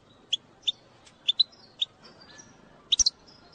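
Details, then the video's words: Goldfinch bitbita intended to stimulate song: a series of single thin high tweets at a steady slow pace, ending in a quick bright double chirp. "أقوى بتبتة لتحفيز الحسون على التغريد"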